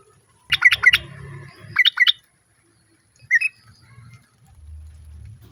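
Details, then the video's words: Female sooty-headed bulbul calling a male while other birds answer: two quick bursts of four sharp, chattering notes, then one short note after a pause, over a faint low rumble. "SUARA TRUCUK BETINA MEMANGGIL JANTAN, BURUNG LAIN JUGA IKUT NYAUT"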